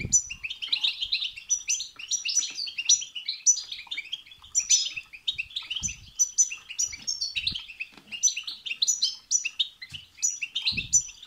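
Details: Goldfinch song meant to excite a caged goldfinch into singing, a long continuous run of rapid twittering, tinkling notes and sharp high chips, very dense and lively, with occasional low knocks or handling sounds.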